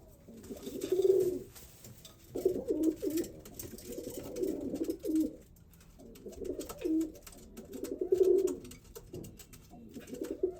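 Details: White male pigeon cooing to attract a brown female for mating in a zoo, during a courtship dance; low rolling coos in bursts about every two seconds, with quieter gaps between.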